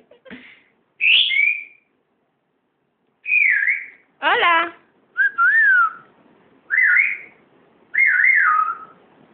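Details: A pet grey parrot, on its first time out of the cage, gives a run of clear, sliding whistles in short bursts, some rising and some falling, with one raspy, voice-like syllable partway through.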